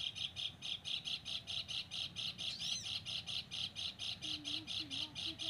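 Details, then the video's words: A sogon bird on a mountain, being lured, gives harsh, buzzy high notes about twice a second in a steady run, with a brief thin whistle partway through and low murmuring underneath. "burung sogon"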